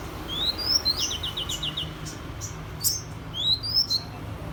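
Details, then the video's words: Mrs Gould's sunbird singing in imitation of an oriental magpie-robin: high, thin, upslurred whistles, a rapid dry trill of about six notes, then more sharp rising whistles and clicks over a low steady hum. "Hút mật 7 màu hót giọng chòe cực hay"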